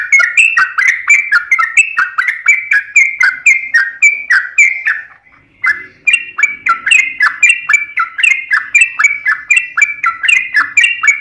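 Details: Sooty-headed bulbul in a long fighting-style song: a rapid stream of bubbly, slurred whistled notes, with one brief pause midway before the fast, chattering run resumes.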